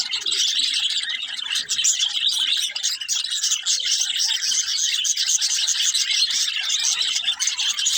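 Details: Continuous high twittering chatter from pet budgerigars, a dense unbroken wash of chirps and warbles, in an indoor setting.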